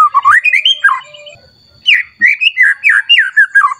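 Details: Agitated White-rumped shama singing as if answering a rival, showing off a lavish repertoire. Two energetic bursts of rapid, rising and falling whistled notes, separated by a short quiet gap.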